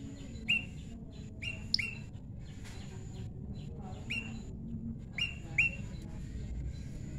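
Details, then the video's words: Naturally paired tame prinia delivering bright, short upturned chirps scattered across the recording, some doubled in quick succession. Moderate background hiss and low rumble. "prenjak lumut jodohan alam"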